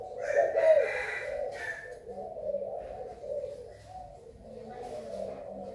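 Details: Spotted dove from Thailand, recorded 24 February 2019, with low cooing notes mixed with brief higher rustles and clatter in a small room.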